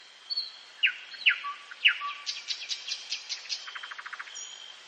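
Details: Nightingale singing at night in woodland. Three sharp downward-slurred notes and a low whistle lead into a rapid, evenly spaced run of clicking notes, ending in a fast low trill. A constant thin high tone continues behind.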